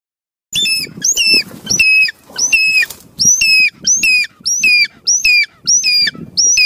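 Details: Light-morph changeable hawk-eagle trying to hunt a goliath heron: about ten loud, shrill, ringing notes, each rising sharply then holding level, repeated roughly every 0.6 seconds. Soft rustling can be heard between calls.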